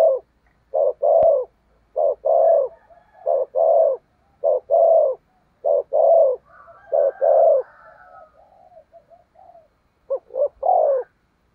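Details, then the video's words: Spotted dove kept as a lure for wild doves, cooing in the driving 'thúc gù' manner: rapid series of low rounded coos, pausing midway while a softer higher bird twitter sounds, then resuming. "Chim Cu Mồi/ cu gáy thúc gù cực đỉnh kích bổi dợt mồi hiệu quả"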